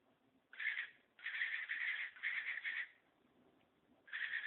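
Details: A pet cockatiel gives harsh, grinding bursts, a strange imitated mechanical noise of unknown origin, which its owner thought resembled a garbage disposal or perhaps a car cranking.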